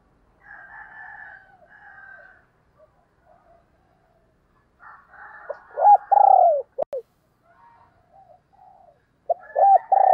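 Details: Decoy spotted dove cooing to lure wild doves: a loud phrase of low, rounded coos ending in a long falling note, a sharp click, then the phrase starting again, with soft chirps from other birds between.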